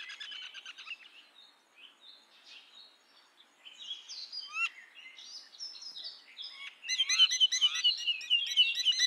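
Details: Common myna, also called Indian myna, giving a varied run of chattering, squeaky and whistled notes, with harsh clicks and trills building to a loud, dense burst of rapid chatter near the end.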